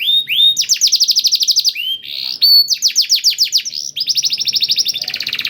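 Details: Canary filled with blackthroat song, used as a lure for singing; three phrases of fast, buzzy repeated notes, each introduced by a single slurred whistle.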